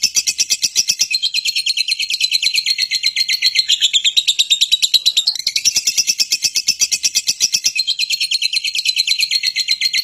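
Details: Fighting lovebird giving a provoking call meant to make other lovebirds respond and sing for a long time. A continuous high, rasping chatter of quick repeated pulses, with a short dip in pitch midway.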